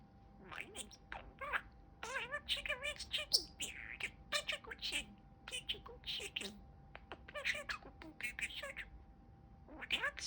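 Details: Pet male budgerigar talking, a stream of rapid, warbling, speech-like chatter with wavering pitch and short bright chirps between phrases, delivered in bursts across ten seconds indoors.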